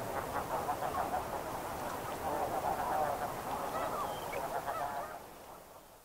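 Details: Snow Goose flock calling in flight, a thick, rapid babble of overlapping honks, over three per second, that swells toward the middle and then fades away near the end.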